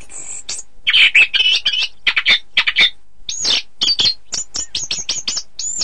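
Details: Anis kembang, the orange-headed thrush, singing as a training model for song contests: a thin high whistle opens, then dense buzzy twittering, then a row of looped, rising-falling whistled notes.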